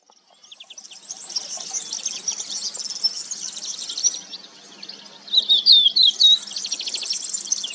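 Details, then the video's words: Crested lark singing: a run of clear, liquid whistled notes that bend up and down, loudest near the end, set against a dense, steady chatter of high twittering birds. "Canto e Presença da Cotovia de Poupa (Galerida cristata)"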